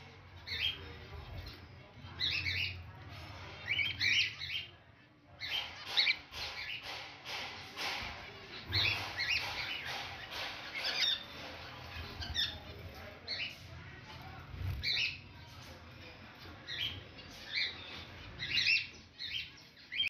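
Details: White zebra finch at a new nest holding eggs and two chicks, feeding its young: clustered bursts of sharp, high chirps and rasping squawks, repeated in irregular runs every second or two, over a low steady hum.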